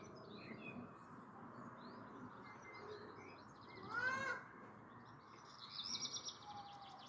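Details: Black redstart singing faintly in the evening, 29 June 2022: a brief whistled phrase, then a dry, scratchy crackle high in pitch, over a steady low background hum.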